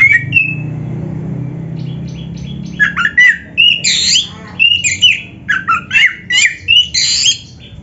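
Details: Gacor song of an oriental magpie-robin (kacer) from Indonesia, full of isian: one short whistle, a few quiet seconds, then a quick sequence of loud whistled and harsh scratchy phrases, each a fraction of a second long.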